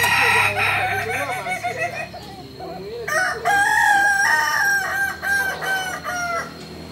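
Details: At a joint practice gathering in Solok, West Sumatra, a Kukuak Balenggek rooster of this locally endemic breed delivers a drawn-out crow broken into many rising and falling syllables. Other crowing overlaps it, over a steady hum of voices.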